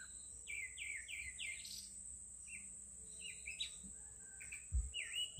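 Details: Bird singing outdoors: a run of four quick repeated downslurred whistles, then scattered chirps and a falling-rising whistle, over a steady high insect-like whine and low rumbling background noise.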